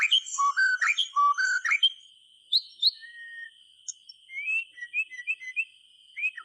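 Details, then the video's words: White-rumped shama song for prompting silent shamas: loud varied whistled phrases at first, then quieter scattered chirps and rising notes, a continuous high electronic tone throughout. "SUARA BURUNG MURAY TERGACOR COCOK UNTUK PANCINGAN MASTERAN"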